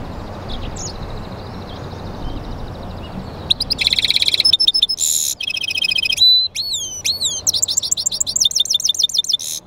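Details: Mule finch bred from a European goldfinch and a canary: after a few seconds of quiet hiss, bursts of rattling trills, buzzes and sweeping whistled notes, then rapid repeated chirps.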